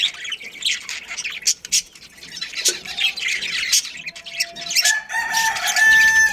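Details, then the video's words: Budgerigars in a breeding colony, busy high chattering and squawks throughout, ending with steadier, sustained whistled tones over continued chirping. "Cute Budgies Chirping Sounds"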